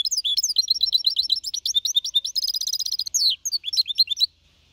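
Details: Young goldfinch hybrid aged four and a half months, clean Malaga copy song recorded in 2021 to spur other birds to sing; dense, rapid high twitters, a buzzy trilled passage, then descending whistled notes before silence.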